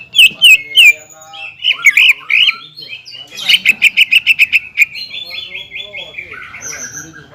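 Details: Caged greater green leafbird singing to goad a rival leafbird into answering: varied warbled phrases, then a fast run of sharp repeated chips about three per second, trailing into softer rolling whistles.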